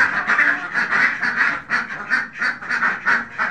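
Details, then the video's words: Khaki Campbell ducks on a farm, a crowded burst of sharp nasal quacks repeated rapidly and unevenly, with several birds calling together. "khaki campbell ducks farming"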